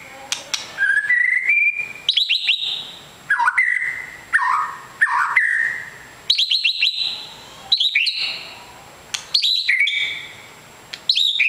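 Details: Long-tailed white-rumped shama, a fighter bird, singing loud clear whistled phrases in bursts every one to two seconds, each mixing sharp high chips with rich slurred notes, separated by short pauses.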